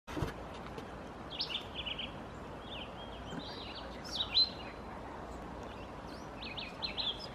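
Scarlet tanager singing short, hoarse, burry phrases in an uneven series, like a robin with a sore throat, over a steady background hiss.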